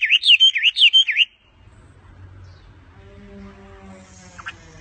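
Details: A bird on its owner's hand sings a brief burst of looping high whistles lasting just over a second. Faint low background hum and a single soft chip follow.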